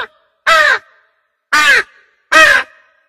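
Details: Crow calling in three loud, harsh caws spaced about a second apart, each short and rasping with a falling, hoarse tone, separated by silence.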